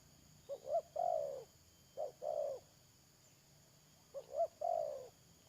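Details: Trapping decoy spotted dove, late May 2022, gives three coo phrases in quick succession, each two clipped notes then a sustained, gently falling coo, clear against a faint steady hum.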